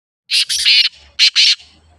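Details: Black francolin, a pet bird, giving harsh, loud grating notes: a run of three rasping bursts followed by a short pause and two more strident notes, clean with nothing else behind.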